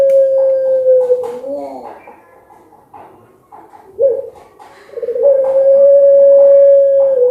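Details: Collared dove of the puter pelung contest type calling in anggungan style. A long level hum opens the clip, a soft throaty pause follows, then a gurgling burst swells into another sustained, unwavering coo. Faint knocks are heard indoors.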